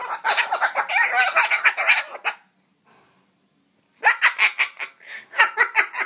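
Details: Pet cockatoo grumbling while trying to scare away a mosquito: rapid bursts of harsh, raspy chattering syllables, a pause of over a second, then more gruff chatter.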